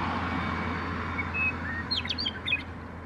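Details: Western meadowlark singing: a couple of clear, drawn-out whistles, then a quick tumbling burst of bright, sharply falling gurgled notes, all over a steady low rumble of traffic or wind.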